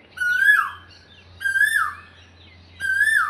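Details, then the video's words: An Asian koel perched up in a jackfruit tree in spring calls with loud, rising whistled notes that slur down at the end, three in just over three seconds, over a steady low hum. "কোকিল ডাকে দেখেন"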